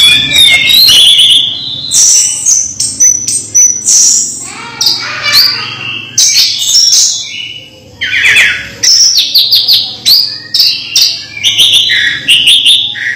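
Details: Song of a house-kept orange-headed thrush, used to coax lazy thrushes to sing; a continuous torrent of bright whistles, trills and sharp chips with quick changes of pitch and few pauses.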